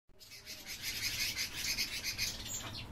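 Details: Captive rosy starlings give a dense, continuous chatter of harsh, rasping and squeaky notes, as if many birds call at once, over a low background rumble.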